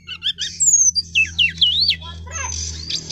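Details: Brown-chested jungle flycatcher, male, a collection of birds singing long rolling phrases: high whistled slurs and sweeping notes with buzzy trills, mostly very high-pitched, in short bursts with brief pauses.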